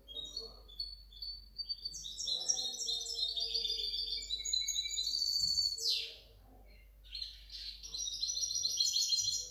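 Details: European goldfinch hybrid, a kept bird from 2019–2020, in a long run of rapid, high twittering song with buzzy trills and bright chirps, broken by a quick downward-swept note near the middle and a short pause before the warbling resumes.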